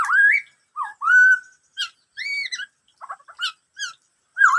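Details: A Black-throated laughingthrush sings in the "bắt cô trói cột" style. Rising fluty whistles and a steady held note give way to rapid stuttering clicks, then end in a dipping whistle.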